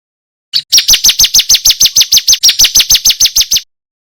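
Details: A male bar-winged prinia sings at full, clear volume, used as a master song for training songbirds. A brief lead-in note is followed by around eighteen piercing, downslurred chirps, evenly repeated over three seconds, with no other sounds.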